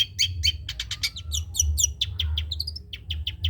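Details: Dense varied phrase from a spotted (trotol) long-tailed shrike used as a song master: fast chips, buzzy notes and a short rising whistled run, with steady low hum behind.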